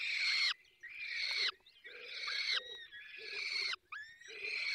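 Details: At a falcon nest in Poland's Barycz Valley during feeding, rasping, wheezy calls of about a second each follow one another almost without pause, roughly one per second.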